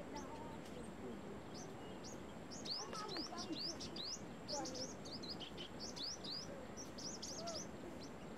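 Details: Brown-throated sunbird in Cambodia: a dense burst of thin, high rising chirps tumbling together in rapid clusters, with a few lower, softer notes beneath and a constant low background murmur.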